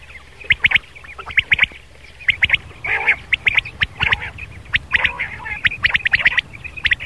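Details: Rain quail used as a morning hunting lure: bursts of shrill, grating chirps repeated in irregular clusters, several birds overlapping, with clicking knocks between the phrases.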